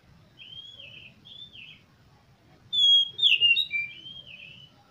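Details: Oriental magpie-robin song meant to get other birds singing: two soft drawn whistles, a pause, then a loud burst of sharp whistled and warbled notes.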